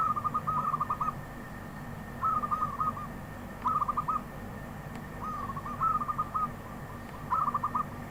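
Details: Wild zebra dove giving five or six short phrases of rapid, soft, stuttering coo notes at irregular gaps of roughly one to two seconds, with a steady low hum behind and a couple of faint ticks.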